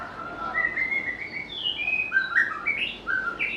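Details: White-rumped shama, a bird popular with bird keepers and able to mimic other birds, singing a lively run of varied whistled notes that leap up and down, some clear and some slurred, over faint background hiss.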